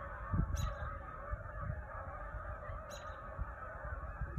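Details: Evening chorus of a big Canada goose flock in rural Michigan, readying to fly to island roosts in Saginaw Bay: softer, steady wall of blended honking with deep background rumble and two brief sharp clicks.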